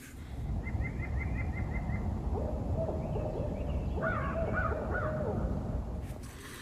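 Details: A barred owl calling in a front yard one morning in March, early spring, gives a string of hoarse, wavering hoots in quick succession, some rising to a higher yelping pitch, over a steady low rumble.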